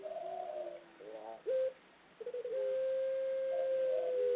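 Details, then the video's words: Female ringneck dove from Java, Indonesia, in the long ngelik ngluguk calling style: low hollow coos, then a long, steady, pure drawn-out note held for nearly two seconds. "Puter Pelung Betina Suara Ngelik Ngluguk Panjang"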